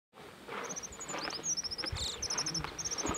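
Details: A Japanese accentor in the Daisetsuzan mountains sings a fast, very high, thin jingle of short tinkling notes, with soft rustling and footstep-like thumps underneath.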